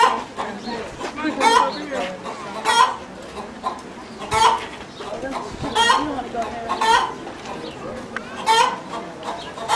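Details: A chicken making a fuss gives loud, scratchy squawks about every second or two, with low clucks in between. People talk softly nearby.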